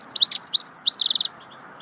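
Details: Goldfinch in swittey song, a dense burst of sweet high twitters running straight into a short metallic buzzing trill, then quiet.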